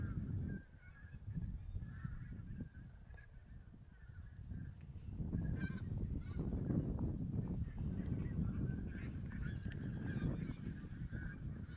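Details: Flock of geese, possibly Barnacle, White-fronted, Greylag and Bean Geese, recorded during a goose count in Silesia, 11-13 November 2016: a dense chorus of overlapping honks over heavy low rumbling wind noise.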